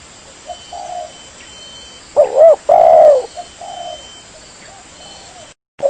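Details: Spotted dove cooing played as a lure for trapping: soft coos first, then a loud double hooked coo and a long drawn falling coo, with quieter coos trailing off.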